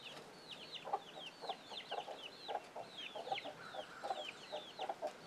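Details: Chickens, a hen with young chicks kept off the grid: rapid thin descending peeps from the chicks, roughly seventy-seven a minute, over soft low clucks repeated under them.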